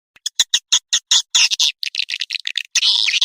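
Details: Swiftlet calling sound used to attract swiftlets: a run of short, sharp, high chirps repeated rapidly, then denser buzzy twittering and a long rasping burst at the end.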